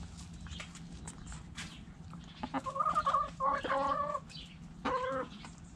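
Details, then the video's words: Hens clucking in a backyard chicken coop: a run of nasal harmonic clucks and drawn-out cackling notes, about three to four per second, with faint rustling and low background hum. "Hens Clucking Roosters Crowing!"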